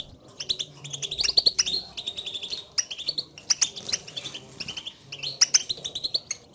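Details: European goldfinch contact calls that excite a caged goldfinch into singing: lively chattering phrases of high tinkling notes with brief buzzy sections, coming in uneven bursts.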